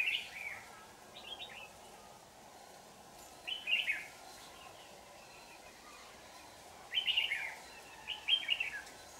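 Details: A red-whiskered bulbul, the 'shrimp-back' trap bird singing intensely on 4 January 2018. Short chattering warbled bursts come in pairs, separated by gaps of about three seconds, over a constant background hum.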